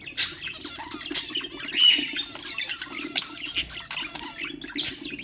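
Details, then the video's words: Pet budgerigars singing to stimulate other birds: loud piercing chirps about every second, separated by chattering twitters and short whistles, over a constant low hum. "اقوى أصوات طيور البادجي طيور الزينة أصوات تحفيز الطيور"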